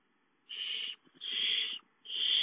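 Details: Owl at a nest as a gopher is delivered: three harsh, broad hissing screeches, each about half a second to a second long, separated by short silences.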